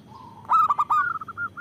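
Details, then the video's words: Big-voiced local zebra dove, used to lure and prompt other doves: a soft low drawn-out coo leads into a loud rolling burst of notes, trailing off in short even notes. "Perkutut lokal gacor Suara Besar Bagus Untuk Pikat dan Pancingan"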